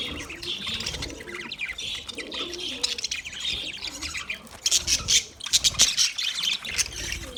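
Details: Budgerigar warble, soft chattering chirps that grow into sharper repeated clicks and chirps toward the end.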